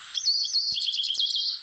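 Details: African pied wagtail song played back, with water audible behind it: a high, fast, continuous twittering warble with trilled notes that holds steady in pitch and runs for nearly two seconds.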